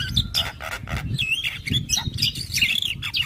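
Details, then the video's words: Javan myna heard in the morning, its singing said to set neighbours' mynas answering: loud scratchy squawks and wavering whistles in quick succession over rumbling low background noise. "Jalak kebo Pagi Hari Suara Kicauannya Bikin Jalak Tetangga Langsung Nyaut"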